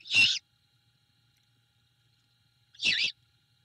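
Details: Great horned owl mother with her owlet at a Savannah nest cam at night, 21 February 2022, after a rat delivery from the male. Two brief rough, breathy screeches come nearly three seconds apart over quiet background.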